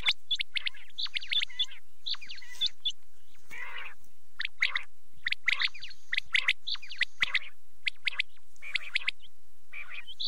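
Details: Quail calling after dark on a night cassette: busy, overlapping chirps and trills from several birds in ragged bursts, with a lower rasping note partway through.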